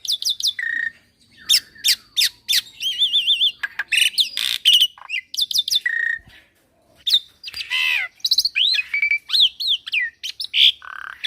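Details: Young Javan pied starling singing energetically with many fill phrases: sharp chirps, warbled whistles, a quavering trill and rasping squawks delivered in dense runs separated by a couple of short silences.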